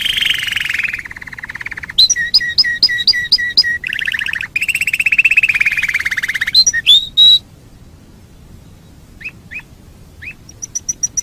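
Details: Canary singing a varied master song for training birds: buzzy rolls, repeated high double notes, clear whistles, a pause, then chips and a quick high trill.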